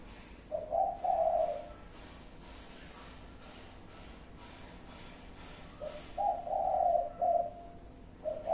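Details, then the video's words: Spotted dove giving five-note cooing 'cục... cu cu... cu... cu', two phrases of soft low hoots about five seconds apart, a faint ticking noise between them. "chim cu gáy 5 tiếng. cục... cu cu...cu ...cu"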